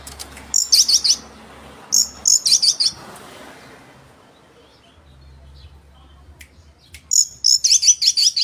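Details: Oriental magpie-robin singing energetically to provoke rivals: three bursts of very high, buzzy, twittering notes in quick succession, separated by pauses of several seconds, with a distant soft chip in between.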